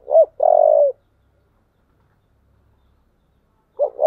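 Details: Spotted dove with an earthy 'giọng thổ' voice, calling to spur a fight: a short two-part hooked coo, then a long, steady, deep coo, with silence before the next hooked coo begins. Recording otherwise quiet.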